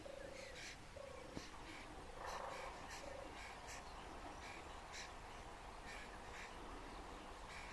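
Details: Wild European turtle dove in Lower Silesia, Poland, a gravely threatened species with 5 nests and 14 birds on 4 square km; several short low purrs open the recording amid steady background chirping from other birds.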